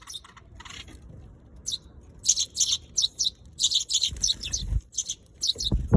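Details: Sparrow, called suzume, the Eurasian tree sparrow: quiet opening, then dense clusters of bright, high chirps overlapping from more than one bird, with low thuds and rustling toward the end.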